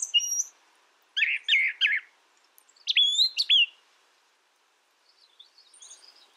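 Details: Brown thrasher delivering separate song phrases about two seconds apart: a high whistle, a cluster of three rough chirps, then sharper bent notes, fading into faint distant twitters.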